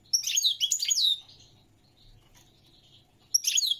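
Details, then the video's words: A European goldfinch delivers a rich, rapid phrase of jingling, tinkling chirps lasting about a second, falls quiet, then begins another bright twittering burst near the end. "تغريد الحسون الملكي 🐦 chant de chardonneret goldfinch song"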